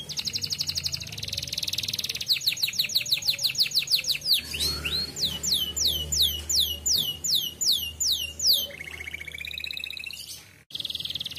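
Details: A canary sings a fast, varied song of high buzzy trills, rapid repeated down-slurred notes and rolling tours over a faint low hum; the recording is a lure track meant to get young canaries singing quickly.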